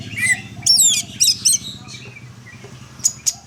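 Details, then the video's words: Greater green leafbird song of rapid, varied high chirps and swooping whistled phrases, with a few sharp piercing notes near the end, over a constant low hum. "burung cocak hijau"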